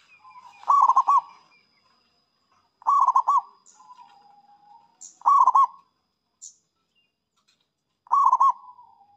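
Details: Singing zebra dove luring rival birds, four bubbling coo phrases repeated every two to three seconds, soft trailing coos and faint high chirps between them.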